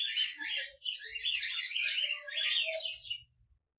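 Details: Cockatiel flock in an aviary, flying and active, chattering and warbling together in a dense mix of high, wavering whistles and scratchy notes.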